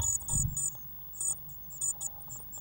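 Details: Nest-box Eurasian blue tit chicks, fed on waxworms and growing fast, recorded 1 June 2016, produce intermittent bursts of shrill, high squeaky begging notes separated by short pauses, with a brief low thump near the start.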